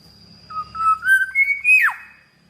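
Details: One full phrase from a highly vocal black-naped oriole: liquid whistled notes rise in three or four steps, hold briefly, then drop in a quick downward swoop, over soft low noise and a thin steady tone.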